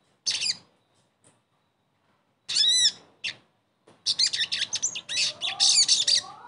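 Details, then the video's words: Sogon voice meant as therapy for a bird that has gone quiet: scattered short high chirps, then a sustained stretch of fast, buzzy warbling with a few lower, upslurred whistles near the end. "TERAPI SOGON MACET langsung GACOR DENGAR PANCINGAN INI"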